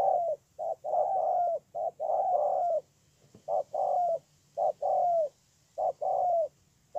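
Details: Cooing of a spotted dove from Tu Mơ Rông, Kon Tum, dated 10/1/2018: mellow low notes grouped as a brief lead-in and a drawn-out downslurred coo, repeated steadily with short pauses.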